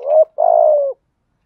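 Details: Single low coo phrase from a spotted dove, thổ voice style used as a decoy to stimulate other males: a soft rising note, a brief gap, then a drawn-out hollow coo that fades downward; silence after.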